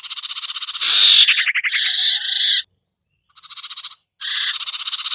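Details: Sirtu, a hard-to-lure bird, as a lure call: loud grating buzz leading into a quick stuttered trill, then rough pulsed chatters after a short silence.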